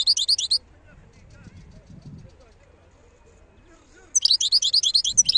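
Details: A wild European goldfinch sings. A short tinkling phrase at the start gives way to a few seconds of quiet with faint low murmurs, then a longer run of fast, bright, high twitters.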